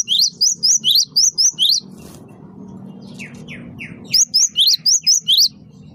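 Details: Great tit, known as gelatik batu wingko, singing energetically as a bird-luring sound: rapid bursts of about eight high, sharp, hooked notes, a pause with three lower falling slurs, then another burst.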